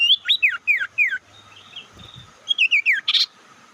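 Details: Sirtu bird lure call used to anger and draw in rival birds: four loud downslurred whistles spaced about every third of a second, a quieter pause, then three more falling whistles ending in a harsh buzzy burst.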